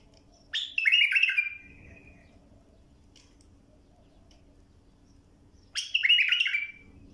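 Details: Bulbul song played for tutoring young birds: two short warbled phrases, each a quick burst of slurred, descending whistles lasting about a second, separated by roughly five seconds of quiet with a faint low hum.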